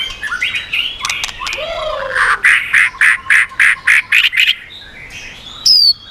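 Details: White-rumped shama singing to provoke rival birds, mixing slurred whistles, a low downslurred note, then a rapid series of about nine loud harsh chattering notes, ending with a brief high whistle.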